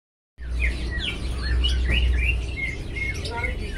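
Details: Lovebird of pretty colouring singing in lively gacor style while still learning its sounds: rapid sharp chirps and short whistled notes, some rising and some falling, over a steady low hum.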